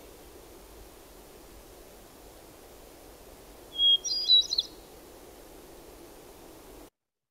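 A Hermit Thrush sings a single phrase: a long, pure opening whistle, then a quick, fluttering tumble of higher, echoing notes, over a steady low hiss.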